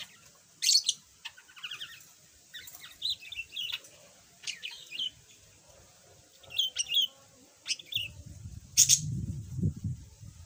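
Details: Yellow budgerigar, a caged pet that was once mute and now chatters a little, making scattered scratchy chirps and short warbles among clicks, with a low rumbling noise rising in the final seconds.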